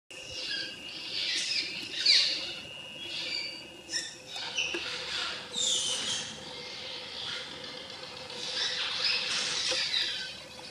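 Many cliff swallows chatter at once in a dense, overlapping mass of high, squeaky twitters and chirps, with a faint steady low hum underneath.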